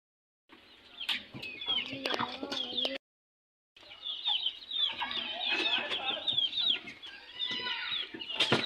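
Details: Young chicks, newly added to a group, squabbling and fighting: shrill, high peeps overlap constantly, with sharp clicks and scuffling, and faint voices in the background. A brief gap of silence cuts the sound midway.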